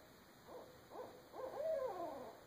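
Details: Several owls, which the recordist believes are Great Horned Owls, calling at night in a backyard, some far away and one close, give a quick series of four wavering mid-pitched hoots about half a second apart, the last longer and sliding down, with birds overlapping.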